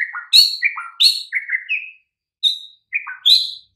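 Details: White-rumped shama song from a master recording used to make mute, listless shamas reply: short bursts of sharp whistles and downslurred chirps, some clipped notes, with a pause midway.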